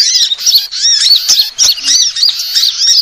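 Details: Lure recording of sunbirds: rapid high-pitched chattering of short arched, squeaky notes, roughly three per second, tumbling and overlapping without pause.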